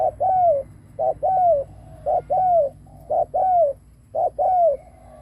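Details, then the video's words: Spotted dove used as a lure, cooing: five regular double coos, each a quick low note then a smooth falling tone, evenly spaced about a second apart with faint background hum. "Cu mồi đất gù kích bổi cực mạnh / Tiếng chim cu gáy kích bổi hiệu quả / cu gáy gù /Chim cu mồi gù"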